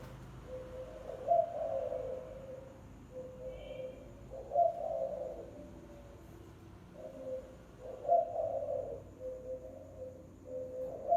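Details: Spotted dove lure call: low, hollow cooing phrases, each a short note run into a swelling, husky coo, repeated about every three and a half seconds over a quiet background with a faint steady high hum.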